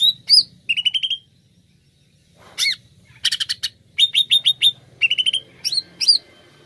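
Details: A greater green leafbird in strong song, used as a lure call, sings rich, varied phrases of clear whistles and sharp chattering notes, high and rapid, in short bursts with brief pauses between them.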